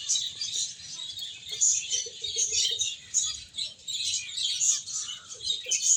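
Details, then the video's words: A flock of finches, playing and eating, keeps up a dense, overlapping chatter of high, thin chirps and twitters without pause, with a few softer low notes underneath. "Cute Birds Chirping Sounds | Beautiful Finches Playing and Eating"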